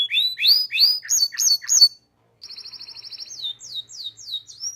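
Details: Canary tutor song for young birds: clear upslurred chirps in quick succession, a short silence, then a soft fast trill and a few falling whistled notes.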